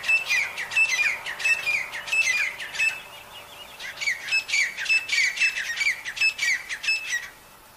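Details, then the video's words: Jungle-living wild partridges, noted as very healthy, give two long series of harsh, ringing notes, roughly one and a half per second, broken by a brief quieter gap near the middle. "jangli teetar ki awaaz"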